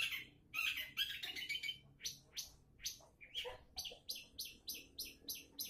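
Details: Long-tailed shrike singing, played as a lure to get other shrikes to sing: varied scratchy phrases, then a steady series of sharp, high repeated notes about twice a second.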